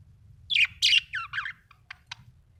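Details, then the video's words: Happy budgerigar chirping: a quick run of warbled, scratchy high notes, then a few short clicky chips with brief gaps between them. "Happy budgie chirping sound"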